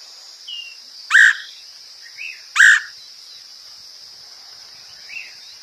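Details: Woodpecker sounds used to lure birds: two loud, sharp call notes about one and a half seconds apart, softer notes between, over a continuous high-pitched insect buzz.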